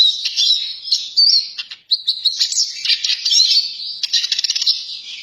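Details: Eurasian siskin twittering almost without pause: bright, high chirps and trills with quick chattering runs and a few rising notes; no other sounds stand out.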